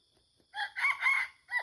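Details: Red junglefowl crowing at a forest site said to be haunted, where many wild junglefowl were found while luring them; a short harsh crow of several rough syllables over about a second, then a brief clipped final note, over faint insect hum.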